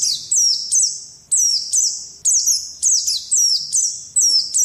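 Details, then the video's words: Oriental white-eye kept as a pet, singing in ngalas training audio: quick high squeaky twitters, each falling in pitch and tailing off, packed closely together in an energetic, unbroken run. "Pleci malas jadi ngalas || TERAPI PLECI"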